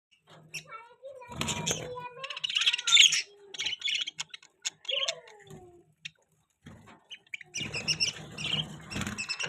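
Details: Pet budgerigar chirping: bursts of high, scratchy warbling chatter broken by short gaps, with a few lower whistled slurs in between and a quiet pause before a final dense burst.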